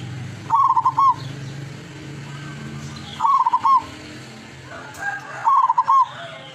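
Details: Three rhythmic, rolling coo phrases from a wild local lurah zebra dove kept as a decoy in Tuban, East Java, spaced about two and a half seconds apart, with faint clicks and rustling around them.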